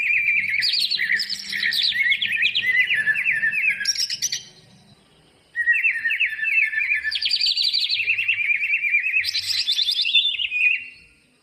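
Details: Greater green leafbird song played to encourage reluctant birds to sing: two long bursts of rich, rapid warbling with sharp chirps and whistled slides, separated by a brief silence, faint low hum beneath.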